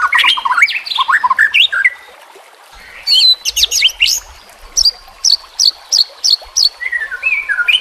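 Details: White-rumped shama (murai batu) training recording with nature sounds and trickling water: tumbling varied whistles, a short lull, then sharp upswept notes repeated roughly every half second, with faint water in the background.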